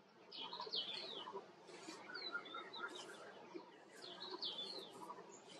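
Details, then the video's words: White-cheeked bulbul repeating a bubbly, slurred phrase twice, separated by softer lower whistles and quieter chirps against a gentle outdoor hiss. "Himalayan Bulbul/ White Cheeked Bulbul"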